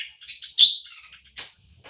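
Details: Red-whiskered bulbul in a cage giving soft warbled notes, then one loud, sharp whistle that fades into a trailing warble, followed by a brief buzzy note near the end.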